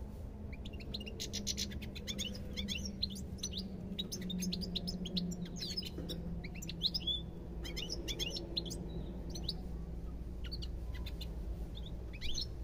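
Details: European goldfinch song, a lively, continuous twitter of rapid high chirps, trills and short slurred whistles running through the whole stretch, over a constant low background rumble.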